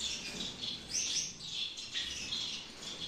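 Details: Breeding-aviary Gouldian finches in Peshawar giving bright high chirps and a few sharper squeaky notes, several birds calling at once in a brief burst.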